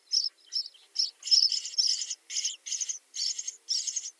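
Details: Common starling (Sturnus vulgaris) giving a series of about nine harsh, high, buzzy rattling bursts, each roughly a quarter to half a second long, repeated in quick succession with brief gaps.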